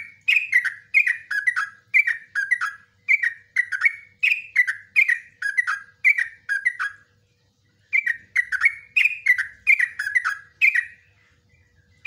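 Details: Yellow-vented bulbul singing a long ropelan song in nguklik ngecruk style, meant as a model for training cage birds: bubbly, liquid three- to four-note phrases in quick succession, a short pause near seven seconds, then more phrases.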